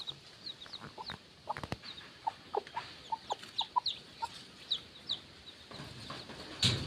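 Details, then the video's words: Free-range mother hen and her chicks forage near the coop before dusk. Thin high chick peeps mix with short, soft, lower clucks repeated about every half second from the hen. "Baby chickens playing making noises while feeding"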